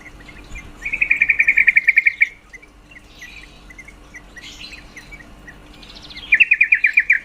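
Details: Female yellow-vented bulbul call that excites males' mating urge: a rapid string of about fifteen sharp notes, a pause with faint distant chirps, then another short fast burst.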